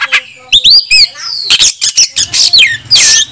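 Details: Provoking song of an oriental magpie-robin (kacer), calling a rival to fight: looping rising whistles, then rapid buzzy notes and a loud harsh rasping downslurred phrase.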